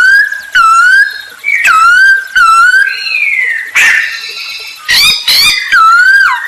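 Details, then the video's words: Masked laughingthrush singing to lure other birds into song: long, drawn-out whistles that swoop down and level off, some overlapping, with two sharp harsh notes near the end. "Burung poksay hongkong gacor untuk pancingan"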